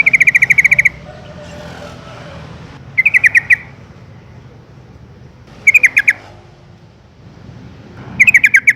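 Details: Yellow-vented bulbul (Pycnonotus goiavier) giving a contact call to its companions: four short bursts of quick, bubbly chattering notes in under nine seconds, with a faint background hum between them.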